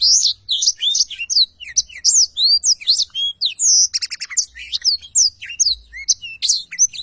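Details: Energetic long rolling song of a Blackthroat, a training recording for cage birds: a dense run of sharp, rising and falling whistled notes, a short buzzy rattle in the middle, then more rapid high chirps.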